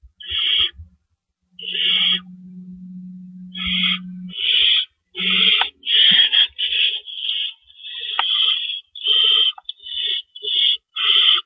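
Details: Owls at a nest at night on April 4, 2012, with adults ferrying rabbits in and out. Raspy hissing screeches begin spaced out, then crowd into rapid overlapping bursts, with a steady low hum underneath for a few seconds.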